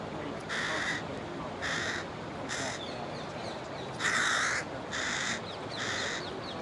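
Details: A young carrion crow begs for food with six harsh, nasal, drawn-out caws, roughly one a second, while its parent ignores it, over a steady outdoor hiss.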